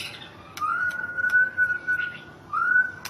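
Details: Thai national champion white-rumped shama holds a long, pure, steady whistle on one even pitch, then repeats a similar upslurred whistle after a short pause, with faint clicks in between.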